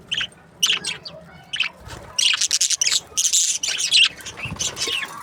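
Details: Breeding pairs of budgerigars produce sharp, scattered chirps and then a dense, buzzy chattering run, with a few soft low bumps in the background.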